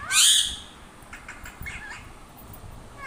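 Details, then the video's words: Parrot giving a loud harsh screech at the start, followed by quieter chattering notes and faint background noise. "parrots sounds"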